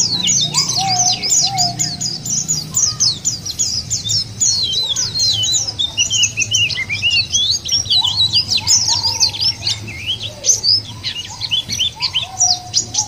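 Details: Lure recording of white-eyes meant to set other white-eyes singing: a long, busy run of high, sharp twitters and trills, short lower whistled phrases repeating now and then, over a faint low hum.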